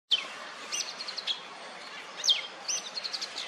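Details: Oriental magpie-robin on a wooden stump, ruffling its feathers and calling to females for mating: two bright whistled phrases opening with a sharp descending note, then a string of quick high chips, over steady background hiss.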